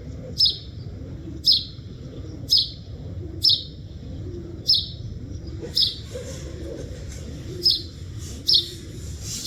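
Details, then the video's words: Wild bird (chidiya) chirping in nature: short, sharp high chirps repeated about once a second, nine in all, over a low, steady background hum. "Chidiya Voice Sound | Chidiya Sound Effect | Chidiya Voice Video | Chidiya Original Video"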